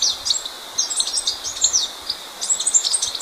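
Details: Blue-backed conebill (Conirostrum sitticolor), song.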